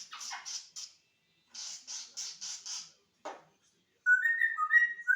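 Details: Pet African grey parrot indoors, said to talk a lot day and night; a series of short breathy bursts like clipped words or coughs, a sharp click, then clear whistled notes at the end.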